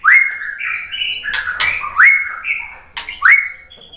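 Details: White-rumped shama singing to provoke other shamas, with clear upslurred whistles, each followed by a held tone and a sharp click, repeated about every second.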